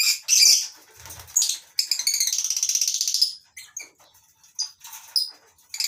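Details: Several lovebirds in a mini colony aviary on a breeding farm chatter in the morning: loud shrill screeches, a stuttering rasping run, then scattered sharp squeaks.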